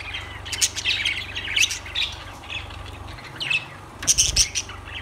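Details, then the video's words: Lovebirds give scattered shrill squeaks and chirps with brief pauses between them, then a sharp cluster of high, piercing notes near the end; a low steady hum runs underneath. "Lovebirds Sounds Birds Singing Birds Sounds"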